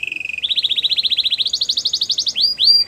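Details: Canary song for a silent canary: a brief low roll leading into a very fast, even trill of bright notes that steps up in pitch, closing with two rising slurred whistles.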